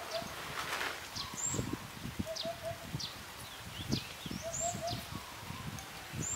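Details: Eurasian hoopoe calls a female over to eat food. Soft three-note hoots repeat twice among rustling and crackling noises. Other birds give high, sharp chirps.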